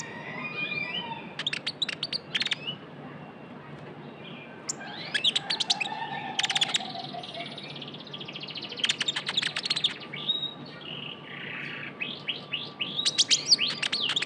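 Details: Vocal young Javan white-eye heard as a lure sound, giving spaced bursts of fast, high staccato chirps and a few thin buzzy notes, with quiet gaps between the bursts.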